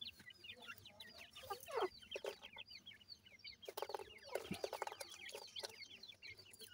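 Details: Several week-old grey francolin chicks (teetar) peeping as they feed: rapid, thin, downslurred chirps tumbling over one another, with bursts of pecking and scuffling noise in the middle.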